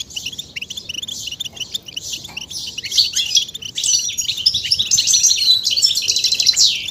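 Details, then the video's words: Goldfinch song played to encourage males to sing: lively high twittering that builds in strength, ending in rapid trills and sharp tinkling notes. "بتبتة فتاكة وفعالة في تحفيز الحسون على التغريد والهيجان والخروج من الستريس"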